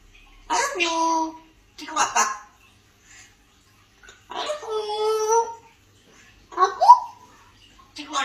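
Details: A pet African grey parrot, a Malayalam-speaking talker, saying "I love you" indoors: four bursts of speech-like, harmonic voiced phrases with gaps between them, each roughly half a second to a second long.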